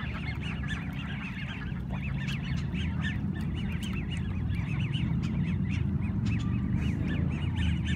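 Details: Ducks of an unknown breed, not the mallards present, give rapid, high, rubber-duck-like squeaky peeps, many overlapping several times a second, over a steady low rumble.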